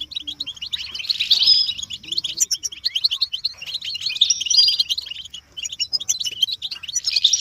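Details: Group of goldfinches twittering, offered as motivating calls to make caged males sing and break their silence; steady stream of rapid tinkling chirps and trills with several louder, tangled outbursts, a faint low hum beneath.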